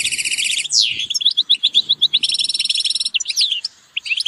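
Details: European goldfinch group calls, starting with a buzzy trill and a sweeping slur, followed by evenly repeated chirps, a second long buzzy trill and scattered twittering notes.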